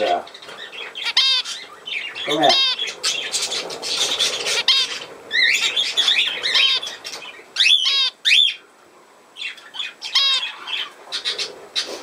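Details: Budgerigars, dated 17 November 2024: dense chattering warble of fast, rising and falling whistled notes and harsh squawks, with short pauses between bursts and a brief low sound near the start.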